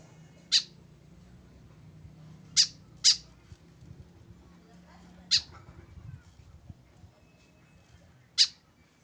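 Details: Tame white-breasted woodswallow alone without a companion, producing short harsh notes, including a quick pair, five calls at irregular spacing over a low hum and faint background rustle.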